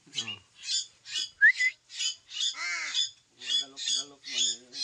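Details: Harsh, hoarse squawks from pet koleto kept with crows, repeated about twice a second, with one sharp rising whistle and a drawn-out nasal, crow-like note in the middle.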